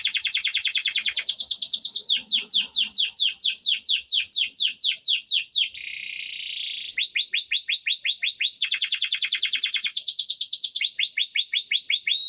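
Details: Copper canary from Nevşehir, Cappadocia, Turkey, in long continuous song: rapid sweeping trilled tours, a brief steady buzzing roll midway, then more fast repeated sweeps.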